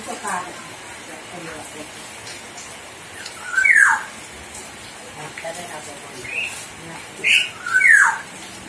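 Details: Clever hill myna imitating human voices: four loud, harsh, whistled squawks, each sweeping sharply downward, come in a cluster between quiet pauses over several seconds, with faint indoor background hiss.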